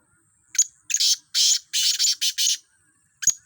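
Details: Black francolin calling during a voice contest among fifteen birds. A single grating phrase of five or six loud, scratchy notes runs close together and ends with a short sharp click.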